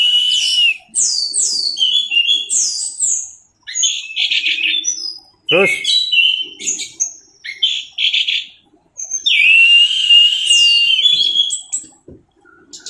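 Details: Teler-style song of a caged Orange-headed thrush, used as tutor song for training birds: bursts of bright whistles, slurred trills and downward sweeps separated by short pauses, with a brief spoken interjection near the middle.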